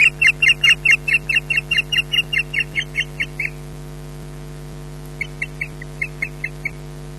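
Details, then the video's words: Female osprey in Scotland protesting at a male landing to mate without a fish: fast series of high yelping notes that fade and slow, a pause of nearly two seconds, then softer scattered yelps; low steady hum throughout. "Odin flies in for mating without fish, EJ gives ear-bashing"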